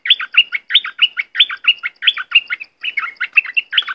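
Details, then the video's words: Southern-type dok taeng bird song, played for young birds to learn and sing along: a fast, steady run of short chirped, slurred notes, about ninety a minute, each dropping or twisting in pitch, with clean quiet background. "เสียงต่อนกดอกแตงใต้Ep6. ไว้สำหรับต่อ หัดลูกนกเปิดให้ร้องตาม"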